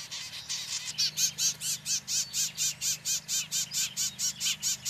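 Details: At a Bell's Vireo nest where a female cowbird tries to lay her egg while the mother vireo sits inside and the father vireo attacks: a fast series of harsh, chattering notes, three or four a second, over a steady low hum.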